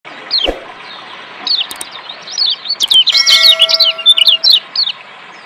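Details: Lombok white-eye, played as therapy to get lazy caged birds singing: a few sharp high descending chirps, then a dense run of rapid twittering notes and thin whistles building to a lively warble.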